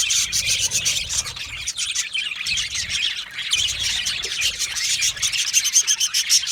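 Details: Happy budgies in a colony chirping and chattering; many overlapping high chirps and squawky notes, dense and continuous, with quick clicking bursts growing busier toward the end.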